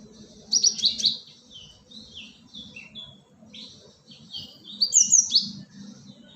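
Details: Cinereous tit, called gelatik batu, in a lure recording for attracting birds: bursts of high, sharp chirps and short buzzy notes, clustered near the start and again after five seconds, over a steady low hum.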